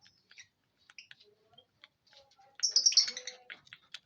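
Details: Lovebird with quiet scattered chirps and soft squeaks, then a sudden loud, harsh, twittering chatter for about a second before fading back to faint chirps.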